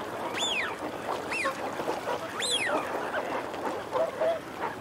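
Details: Eurasian wigeon, males and females calling together: loud whistled calls rising sharply then falling, about three across the stretch, over a busy bed of low growling and chattering from a flock.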